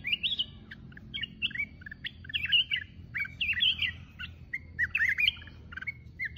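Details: Mountain-type red-whiskered bulbul singing solo in a dense run of chirpy, bubbling whistled phrases with scarcely any gaps, over a soft low hum.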